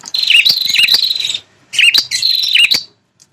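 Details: Red-headed prinia provoking call for wild territorial males: two long, dense buzzy trills with several dipping notes, broken by a short pause.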